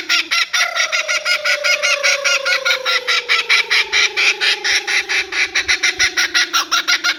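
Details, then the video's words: Laughing Kookaburra in full laugh, a dense train of harsh rhythmic chuckles over a long slowly descending tonal wail, steady and loud throughout. "of course everyone wants to hear the kookaburra laugh so there we go"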